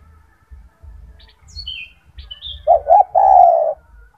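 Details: Loud-voiced spotted dove (tekukur gacor) kept as a song tutor for other doves gives one low coo phrase, two clipped notes and a long vibrating note, after thin high chirps from other small birds.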